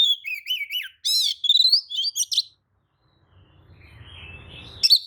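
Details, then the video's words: Oriental magpie-robin lure song, tail spread, meant to make other magpie-robins respond angrily; a fast varied phrase of whistles and sharp chattering notes, then quiet low rumbling and a final short note. "kacer manapun jelas nyaut oleh kicau pancingan kacer buka ekor! kacer dijamin emosi"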